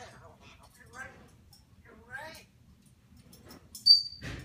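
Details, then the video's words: African grey parrot speaking whole sentences in a human-like voice: several short phrases with wavering, formant-rich syllables, pauses between them, then a sharp pure whistle near the end, in a quiet indoor setting. "African Grey parrot Scipio speaks sentences!"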